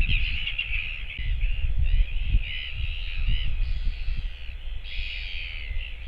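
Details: Calling continuously, a Royal albatross chick waits alone with no parents returning, filmed by a nest cam on 24 July 2024. Its reedy calls rise and fall in uneven bursts, half-second to second long, against strong wind buffeting.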